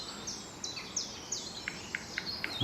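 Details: A Eurasian nuthatch, first taken for a woodpecker and thought to be a nuthatch, calls loudly near a small bridge in bluebell woodland. It gives short, sharp notes about every quarter second among thin, high, falling chirps from other small birds.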